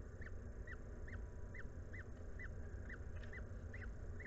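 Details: Peregrine falcon at a nest on the Anwil site in Włocławek, Poland, 17 May 2022, mid-afternoon feeding when the female brings a meal; a steady series of short arched kek notes repeated about every half second over constant low hum.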